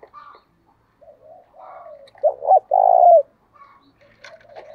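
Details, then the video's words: Spotted dove cooing in the 'thổ' voice mixed with fighting-style urging, meant to prompt wild-caught doves that have been lazy to coo for years. A loud low, throaty two-part coo follows soft murmured notes, with faint cooing in between. "cu gáy giọng thổ pha thúc đấu, tiếng gáy trị chim cu gáy bổi lười gáy lâu năm"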